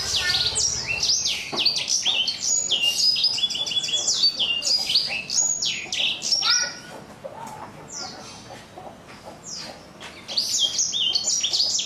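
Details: A 4-month-old black-throated canary with a coarse but crisp, crunchy voice sings a fast, high twittering run of trills and slurred notes, about four a second, easing off briefly midway before resuming.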